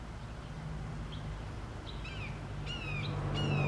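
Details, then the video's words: Recently released juvenile Red-shouldered Hawk in June 2014, calling to its foster sibling about 100 yards away: faint high notes early, then two clearer downslurred squealing calls near the end over steady low rumble. "Red-Shouldered Hawk Juveniles Vocalizing"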